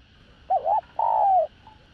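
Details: Single phrase of a spotted dove's luring song, in the đồng rặc style: a wavering double note, then a long, slightly falling coo, followed by a faint short echo-like note. A quiet background hum is heard.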